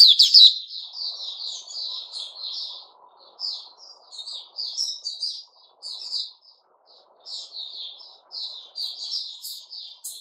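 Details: Caged sooty-headed bulbul delivering continuous rapid, chattering song with short slurred chirps in uneven bursts, starting with one loud note and then quieter stuttering runs.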